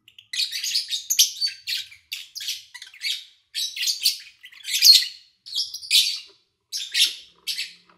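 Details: Kept lovebirds in August 2019, recorded with few engine or human sounds, keep up busy squawky chirping: dense rasping notes in bursts nearly every half second, sometimes overlapping, through eight seconds.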